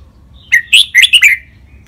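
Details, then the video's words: Training song of a red-whiskered bulbul for caged birds to imitate, styles named len rik, lak boen, lak wai, mae bot, nap dok; a single crisp phrase of five or six lively, slurred whistled notes over faint low hum. "นกกรงหัวจุก เสียงร้องเล่นริก ลักเบิ้ล ลากหวาย แม่บท นับดอก"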